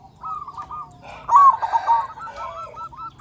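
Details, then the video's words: Local zebra dove singing loudly, used as a lure to get other zebra doves calling: a soft trilled cooing, then a louder burst of rapid, rolling staccato notes after a short pause, with faint background clatter. "Perkutut Lokal Gacor Suara Besar Pancingan Burung Perkutut Agar Cepat Bunyi"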